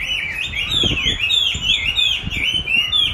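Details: Chinese hwamei responding to its own song played back for training; fast, loud whistled phrases with looping rises and falls, nearly continuous, with faint low knocking underneath.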